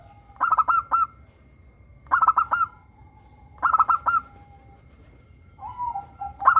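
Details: Morning song of a local zebra dove, busy and vocal: three clipped, rolling phrases of fast bubbling coos spaced about a second and a half apart, with softer lower murmurs between and after.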